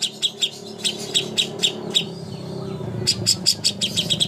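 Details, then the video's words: Greater green leafbird master song used to train birds before contests: sharp, bright chirped notes repeated in quick bursts, a pause, then a faster run of high chirps, over a low background hum. "masteran ampuh untuk burung cucak hijau Lomba"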